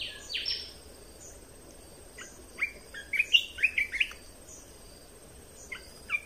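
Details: Red-whiskered bulbul in a cage singing a training song used to teach young birds and stir up other birds. A sharp burst opens it, then after a pause comes a rapid cluster of clear chirping whistles and a few isolated notes.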